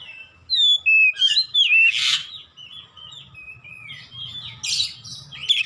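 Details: Loud, gacor-style singing of a kacer, Oriental magpie-robin, for training caged birds at home: strong clear whistles and slurred notes opening the phrase, then quieter varied warbles and chirps, with a low hum underneath.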